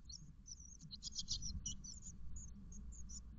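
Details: Thirteen-day-old great tit chicks inside a garden nest box on a May 2021 morning give rapid, high-pitched squeaky cheeps, densest around the middle, over a steady low background hum.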